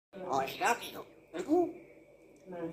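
A grey parrot says "I love you" in a clear, human-like voice, two short spoken bursts, over a faint steady high hum.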